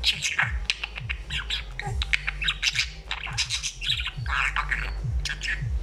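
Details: Chattering pet budgie delivering a dense stream of short chirps, clicks and squeaky warbles, backed by a steady low knocking thump repeating through the background.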